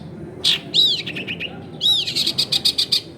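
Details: Long-tailed shrike in loud song, intended to draw silent shrikes into singing, recorded at home among crowded houses: arched whistled notes each followed by a fast chattering trill, with background hum.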